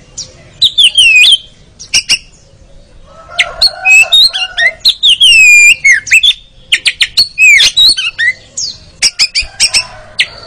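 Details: Oriental magpie-robin (kacer) ngeriwik training song for caged birds: long rich outpouring of varied whistles, downslurred notes, harsh buzzes and rapid chip series with brief pauses.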